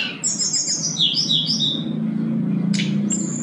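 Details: Sooty-headed bulbul in full song, used to lure and train a bulbul that is slow to sing, packed with fill phrases. Quick high chirps tumble downward in a twittering run, followed by a short buzzy burst and a level whistle over a low hum.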